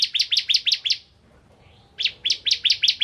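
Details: Bar-winged prinia of the ciblek kristal type, singing in full voice as a lure to provoke other prinias to sing: a fast series of about six sharp, high chirps, a one-second pause, then another run of about seven similar chirps.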